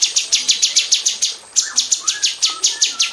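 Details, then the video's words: Female cucak cungkok bulbul in an aviary, kept as a song tutor for magpie robins, giving a 'tembakan rapat' rapid-fire burst: fast, evenly repeated sharp buzzy chirps about eight per second, a short pause, then more chirps with a few lower whistled slurs. "KICAU SUARA BURUNG CUCAK CUNGKOK BETINA TEMBAKAN RAPAT DI KANDANG AVIARY UNTUK MASTERAN MURAI BATU"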